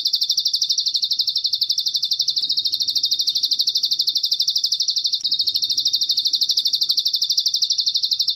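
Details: Bar-winged prinia in a training recording for cage birds, mixed with cililin fill: a high, steady buzzy trill of rapid pulses, about three a second, running without pause, with faint low rumble beneath.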